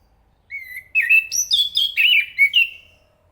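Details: Thrush song: a lone level whistle, a short pause, then a rapid string of varied slurred and trilled whistles ending on a drawn-out note, no other sounds.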